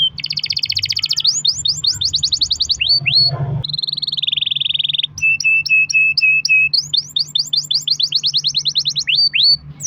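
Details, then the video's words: Canary song meant to prompt other canaries to sing, long-roll style: rapid trills of sweeping notes, a buzzy held roll, a string of clipped notes at one pitch, then fast trills again; a faint low hum underneath. "kenari gacor ROL PANJANG buat pancingan kenari agar bunyi"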